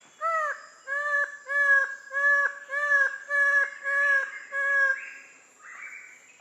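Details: Twelve-wired bird-of-paradise in Papua giving seven loud, nasal, arched notes in a steady series, about one and a half per second, over a faint high insect whine.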